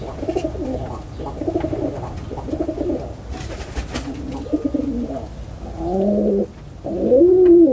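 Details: Pigeon cooing: low, throaty, rolling coos in repeated bursts about a second apart. They grow louder and more resonant toward the end, with faint clicks and light room noise behind.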